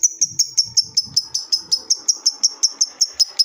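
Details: Lovebird calling a rival with sharp high chirps repeated about five times a second in an even series, faint low rustling underneath.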